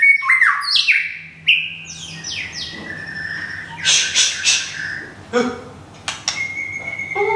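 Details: Caged white-rumped shama from Thung Song, Thailand, with plumage nearly regrown. Fast whistled slurs open the phrase, then harsh, buzzy bursts follow, and short clicks and a level whistle close it.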